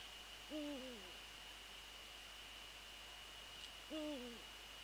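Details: Two matching Eurasian eagle-owl calls, recorded near the nest during a prey transfer on a January night in 2014: each a squealing note that holds level and then slides down, about three and a half seconds apart, over a constant electrical whine.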